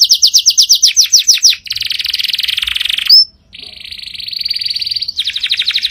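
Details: Strong canary song. A trill of descending notes leads into a buzzy roll and one sharp note, then a softer roll, and the trill returns at the end.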